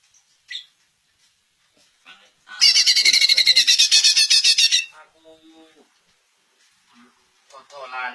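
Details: {'caption': 'Greater green leafbird belting out a brisk, buzzy rattle of rapid notes for about two seconds, used to make other leafbirds answer; quiet chips and human voices before and after.'}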